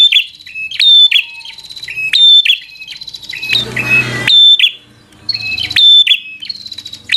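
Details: Fighter song of a bar-winged prinia, used to provoke a rival into fighting: steady, evenly spaced high chirps with snapping clicks, broken around the middle by a short burst of rustling noise.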